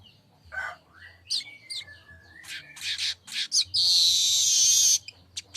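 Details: Streaked weaver singing: scattered chirps, a thin drawn-out whistle, quick clicks, then a loud hissing buzzy trill of about a second before a few final ticks.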